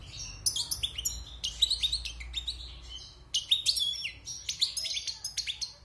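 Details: European goldfinch caught wild and kept caged six months, singing after its moult: a rapid, liquid twittering of high tinkling and slurred notes, continuous with a short pause near the middle.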